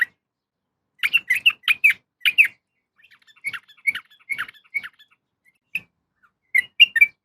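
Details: Female yellow-vented bulbul calling a male: loud bursts of chattering notes at start and end, with a scattered series of softer, spaced single notes in between.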